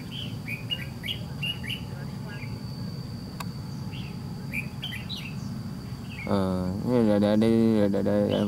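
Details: Trap-fight recording of a white-cheeked red-whiskered bulbul facing a decoy bird. Rapid chirpy notes repeat at a brisk pace for several seconds, then a man's voice takes over in the final part.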